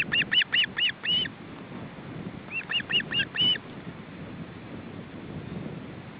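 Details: Osprey family at a nest, parents bringing fish to three young on a windy day; two short bursts of four or five high whistled chirps separated by a gap, with steady wind noise throughout.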